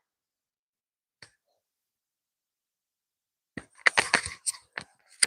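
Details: A single sharp snap, then after a pause a quick run of clicks, taps and rustling bursts in a quiet small room, with no animal voice.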